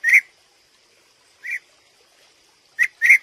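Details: Scattered rolling notes from a European bee-eater: one call, a pause, another, then a closing quick pair, all over a quiet background.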